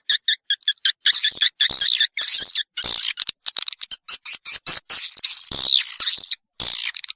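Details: Swiftlet lure call for drawing young swiftlets into a new nesting building: rapid bursts of high clicking chirps, then dense buzzy twittering with short gaps, all very high-pitched.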